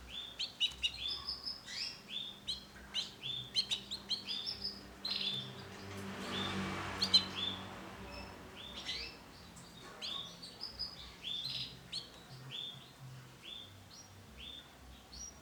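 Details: Male yellow 'bon' canary giving a lively run of high, sharp chirps and short trilled notes, briefly masked midway by a burst of rushing noise, with a low background hum.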